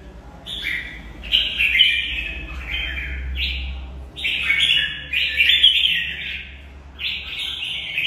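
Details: Red-whiskered bulbul kept in a cage sings its fighting song: stepped whistled phrases in loose clusters, with a low steady hum running under the first half.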